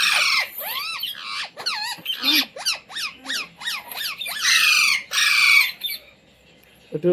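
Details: Indian Ringneck parrot trained at home to speak "mummy", "mitthu" and "roti roti"; rapid run of looping squeaky syllables, about two a second, with several harsh screams before a quiet end.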